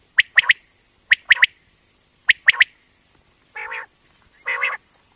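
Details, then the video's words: Female common quail (batair) call used as a hunting and trapping lure: crisp three-note bursts repeated about once a second, then two harsher buzzy, broadband bursts, over a steady high electronic hum. "common quail hunting sound//batair ki awaz"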